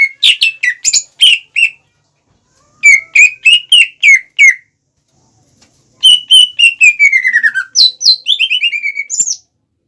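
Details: Greater green leafbird song for provoking rival leafbirds: clusters of sharp chirps and whistles in three phrases, the last a long sliding series falling gradually in pitch and ending with a high note.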